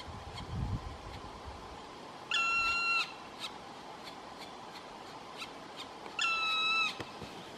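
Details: Black Woodpecker at its nest in Maridalen on 4 June 2018 gives two long, plaintive, even-pitched calls about four seconds apart, each near a second long, over faint ticking and quiet woodland background.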